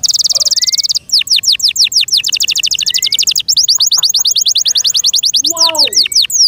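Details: A kept canary in full song: long runs of very high, sharp descending notes in fast, steady rolls, broken by brief pauses, ending with a few lower, richer notes.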